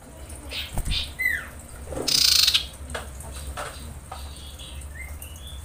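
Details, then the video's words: Female common iora in breeding condition calling for males: a brief downslurred whistle, then a loud, rasping, buzzy rattle, followed by short upslurred whistles. Low rumbling background noise runs throughout. "SUARA SIRPU/CIPOH BETINA BIrahi memanggil jantan"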